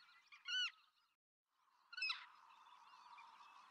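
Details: Black-tailed godwit in Pingtung County, Taiwan, 6 October 2015, a passage migrant: two separate nasal, honking calls about one and a half seconds apart, the second trailing into a low, steady background rumble.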